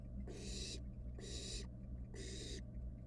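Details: Wild barn owl nestling in a monitored nest box, playing with its dinner: three harsh, broadband hissing screeches, each about half a second long and spaced roughly a second apart, over a steady low hum.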